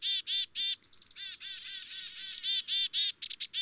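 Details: Black-capped chickadees giving quick, raspy 'dee' notes about four per second, broken by a brief run of thin high twittering, in a dense, busy chatter.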